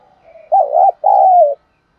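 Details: Spotted dove lure call: a low, soft lead-in, then a strong double coo. The first note is short and wobbling and the second is longer and slides down at the end.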